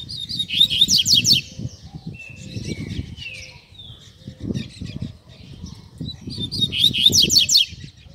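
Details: Double-collared seedeater, kept to train young birds, giving Tui Tui Zel Zel song: two bright phrases of rapid, high, sliding whistles and trills, with softer chips between them. Constant low thudding noise lies underneath.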